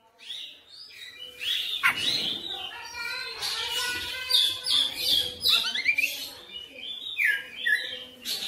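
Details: Oriental magpie-robin delivering a continuous, energetic stream of its full repertoire: mixed whistles, buzzy chatter and rapid varied notes with few breaks.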